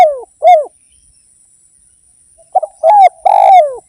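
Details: Spotted dove (derkuku), Indonesia, singing energetically. Two short bent coos are followed by a pause, then a fresh burst of three husky coos, the middle one long and rough. No other sounds.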